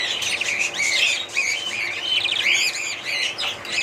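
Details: Budgie parrots giving looping warbled chirps and bright upslurred squeaks, overlapping in a lively steady chatter with brief louder notes.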